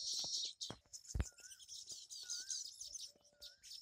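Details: Baya weaver colony at a tree holding more than fifty nests, built in the monsoon season; dense high chattering and twittering from many birds, with a few clear whistled notes and some low knocks and rustles.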